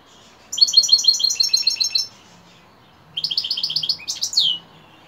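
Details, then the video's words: European goldfinch singing at dusk. Two lively phrases of fast, bright, chattering notes are repeated several times each, and the second ends in a rising buzzy flourish. "Saka kuşu akşamüstü sefası"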